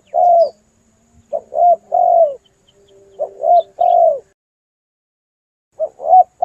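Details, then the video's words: Lure recording of an actively calling spotted dove for trapping birds: low, soft coo phrases of two or three short notes ending in a longer down-slurred coo, with long pauses between groups and a quiet low hum. "Pikat burung TEKUKUR gacor"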